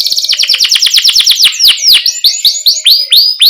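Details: Canary singing vigorously as a training model for juvenile canaries: a very rapid run of sharp chirps slowing into longer, deeper downswept whistles, then quick high notes again.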